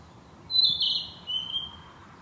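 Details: Sweet woodland song of a breeding Narcissus flycatcher: one phrase of a high whistle, a brief rich warble, then a softer lower whistled ending, over a light steady hum.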